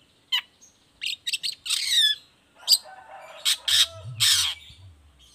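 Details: Long-tailed shrike lure song to prompt other shrikes to answer: loud, harsh scolding bursts and grating squawks mixed with thin whistles, irregularly spaced, with a low rumble in the background late on.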